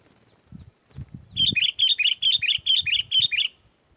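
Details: Sooty-headed bulbul in lively song, used as a lure to make wild bulbuls answer and sing; a rapid run of about a dozen bubbly, whistled notes in paired phrases over two seconds, with faint low thumps before it.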